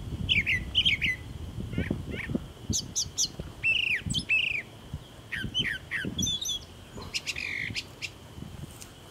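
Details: Brown thrasher giving a series of short paired whistled and chirped phrases, sliding notes repeated in doublets, over low rumbling background noise and a faint steady high tone.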